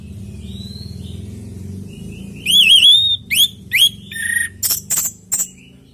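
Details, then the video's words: Orange-headed thrush singing energetically in a recording meant to coax kept birds into replying: after a quiet, faintly whistled start, loud looping whistles, upward-swept notes and buzzy bursts follow in quick succession. "Pancingan burung anis merah|Agar nyaut Dan ikut ngeplong|"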